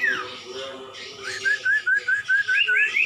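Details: Cumpon or sirtu, the common iora, in a masteran song: a drooping whistle opens, followed by a brisk train of about ten upswept whistled notes that climbs higher near the close, over faint background hum.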